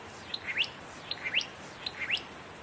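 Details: Satin flycatcher singing in fire-damaged trees in Namadgi National Park, south of Canberra, repeating a high, clear phrase about every three-quarters of a second: a brief sharp note, then quick rising whistled sweeps, over faint hiss.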